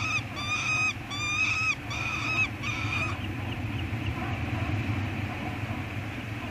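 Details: Peregrine falcon chicks being fed at a nest on Anacapa, filmed by live cam on 18 May 2022: several loud, harsh wailing notes in the first three seconds, then only low background rumble.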